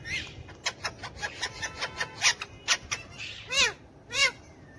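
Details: Hand-tame pet Alexandrine parakeet with ringneck parakeets, speaking Urdu/Hindi: a fast series of short, clipped chatter notes, then two loud drawn-out screechy calls with arched tone near the end.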